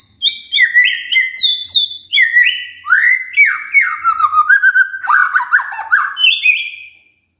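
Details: Magpie-robin singing, played to stir a silent bird into song: continuous bright whistled phrases sliding downward, then lower warbling notes, ending in silence.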